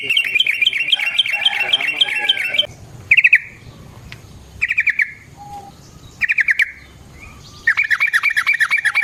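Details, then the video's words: Lure song of a yellow-vented bulbul meant to make birds sing: a long fast chatter, then short separate bursts of hurried notes every second or so, ending in another dense chattering run. "Burung TRUCUKAN GACOR Ropel Panjang Cocok untuk PANCINGAN Trucuk bahan dan MASTERAN Burung Trucukan"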